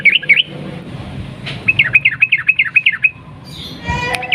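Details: Sooty-headed bulbul giving long, fast 'ropel' song meant to coax other bulbuls into singing: a short opening flourish, then about ten quick, regular, chirpy two-part notes, ending in a smeared squeaky note.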